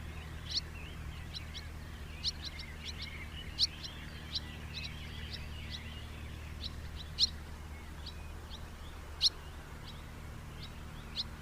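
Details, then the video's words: House martin calls as scattered sharp chirps and soft twitters, a few louder notes standing out, with faint low hum behind. "SOUND OF A HOUSE MARTIN 🔊 What does a house martin sound"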